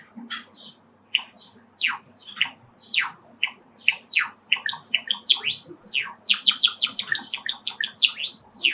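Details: A pet male Java sparrow, excited by wild sparrows heard through an open window, sings indoors: a run of sharp clicks, bell-like chips and upswept whistles, roughly one note per second, quickening toward the end, with faint background hum.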